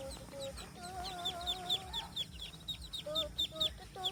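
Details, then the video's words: Ducklings guarded by an angry mother duck, 14 October 2020: a steady run of thin, high peeps, each sharply falling, about two per second, with a few lower wavering tones in the background. "ANAK BEBEK DIJAGAIN MAMA BEBEK YANG PEMARAH || FUNNY DUCKS SOUND"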